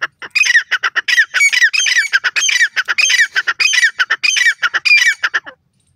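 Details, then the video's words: Wild grey francolin chicks calling to their parents: loud, harsh, squawky notes packed into dense bursts that repeat about every half second for over five seconds, with no other clear sounds. "Sweet Sounds of Teetar Chicks,Dakhni Teetar Baby Ki Awaz"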